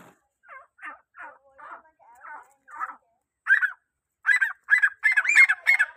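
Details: Grey francolin calling to draw other francolins: a series of short, clipped notes about three per second, soft and uneven at first, then much louder, ringing phrases in the second half.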